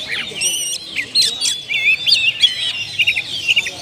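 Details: Caged oriental magpie-robin (kacer) unloading its isian, the borrowed song phrases, as a lure: bright rising and falling whistles mixed with rapid twittering bursts and short buzzy notes, delivered without a break.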